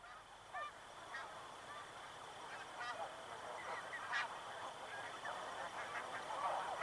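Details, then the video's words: Snow geese in a flock flying past at Chincoteague, Virginia, giving faint, distant nasal honks scattered through the clip against a steady hiss of background noise. "Snow Goose. MCU Calls From A Group Flying Past."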